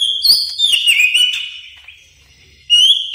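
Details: Greater green leafbird lure sound for training: a loud sliding whistle phrase that fades out, near silence, then another bright whistle at the end.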